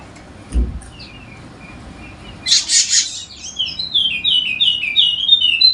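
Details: Golden-headed Wallacean white-eye, endemic to Sumbawa in NTB, Indonesia, kept as a lively singer to coax idle birds into song: faint scattered chirps, then a harsh buzzy burst leading into a rapid series of high, sliding, twittering notes over light background hiss.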